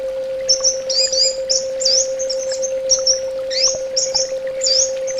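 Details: Orange-headed thrush song of high, thin whistles and sharp upslurred notes in quick succession, with a steady mains-like hum behind.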